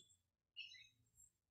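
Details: A hawk near a lakeshore, thought to be a juvenile or young bird, gives one harsh, high squawk lasting about half a second, with a faint background hum.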